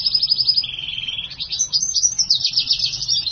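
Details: Hybrid of black-hooded siskin and house finch, a caged mule bird, singing a continuous high twittering song: rapid trilled phrases, a lower buzzy trill, then jumbled warbling notes that sweep up and down without pause.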